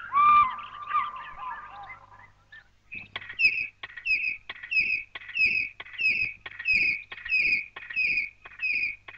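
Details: An African fish eagle, soaring high overhead at daybreak in the bushveld near Capricorn, gives its challenging call: a ringing series of high yelping notes, evenly repeated about every two-thirds of a second, after a brief jumble of other birdsong, from an old tape.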